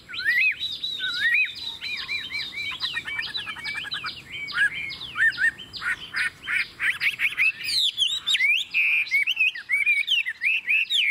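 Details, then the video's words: Chinese hwamei, a kept bird with a forest-type voice, delivering an extended 'ngũ trường' song: fast runs of looping whistles, a rattling buzzy trill around two seconds in, then loud varied slurred notes and sharp accents. "Ngũ trường, Dài ngoằng, Chất giọng rừng ko lẫn vào đâu đc"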